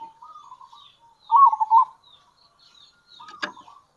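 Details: Local zebra dove, kerot and bekur calls meant to draw in other zebra doves; faint soft cooing, then one loud burst of rapid bubbling notes mid-way, and a sharp knock near the end.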